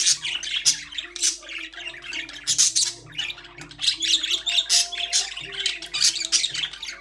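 Budgerigars chatter with rapid, scratchy chirps and squawks in quick overlapping bursts.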